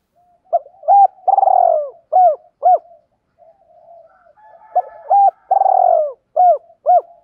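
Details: Spotted dove used as a decoy to lure wild doves; low, mellow cooing phrases, each a long hollow coo followed by two or three short clipped notes, repeated in two bouts, with quieter soft murmurs between.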